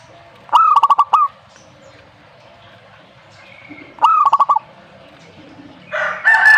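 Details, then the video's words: Zebra dove repeating its song twice, each phrase a fast string of short hollow coos closing on a drawn-out note; another bird's chirps break in at the end. "burung perkutut ini yang dicari"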